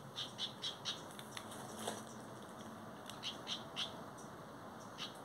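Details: House wren (Troglodytes aedon) calling: faint, short, high chip notes in quick clusters of two or three, with pauses between clusters, over a steady background hiss.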